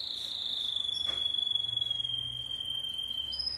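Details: Timbrado canary holding one long, steady, high whistled trill that slowly drifts lower over about three seconds, with a faint click partway through.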